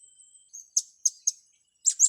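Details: Young blue-crowned hanging parrots in training give brief, shrill, very high chirps, three evenly spaced notes followed by a quick double chirp, after a faint thin whistle.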